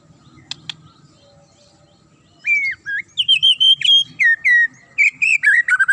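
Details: Magpie-robin singing sharply to provoke other birds into answering and raging; after faint clicks, loud whistled phrases start, rising and falling slurs then rapid high warbled notes in quick succession.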